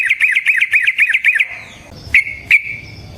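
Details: Yellow-vented bulbul, with a song used as a lure to trap bulbuls and spur them to sing. A quick trilling roll of about ten bubbly notes is followed after a gap by two single sharp chips.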